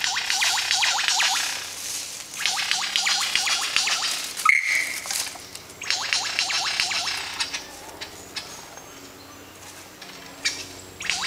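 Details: Lyrebird singing and dancing on a Katoomba forest walk in January 2013. It sings in loud bursts of rapid, rattling, chattering notes, each one to two seconds long, with short pauses between phrases.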